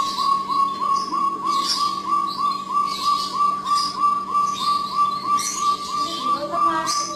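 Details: Jungle bush quail (Perdicula asiatica) call: a steady run of short, even-pitched whistled notes, about three a second, over higher scratchy bursts and a low steady hum.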